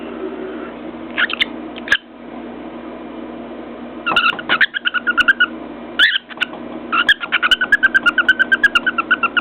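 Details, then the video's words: Cockatiel on top of its cage, banging its beak on a mirror and whistling contentedly: chirpy warbled whistles in bursts, then a fast run of rapid repeated tapping notes near the end, with a steady low hum underneath. "More of Floyd the Cockatiel"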